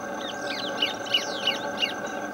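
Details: Orange-breasted thornbird (Phacellodomus ferrugineigula) calling at Potreiro, Rio Piracicaba, Minas Gerais, Brazil: a quick series of sharp, high chirps, about three a second, over a steady droning hum of insects or marsh background.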